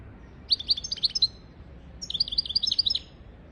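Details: European goldfinch singing, a tutor recording for goldfinches and canaries: two fast twittering phrases of clear high chirps, the second longer and more rapid, against quiet background hum.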